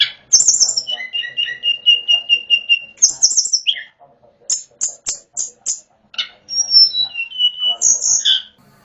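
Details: Mountain-forest hill prinia, wild, singing with natural water sounds: a rapid repeated series of even whistled notes, clusters of sharp high chips, and a descending slurred whistle near the end.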